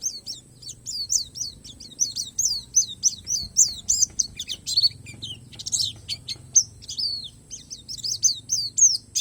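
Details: Borneo palas white-eye in continuous song stuffed with wild-learned phrases: long runs of rapid, high downslurred chirps with occasional scratchy bursts and sharp whistles over a faint steady high tone.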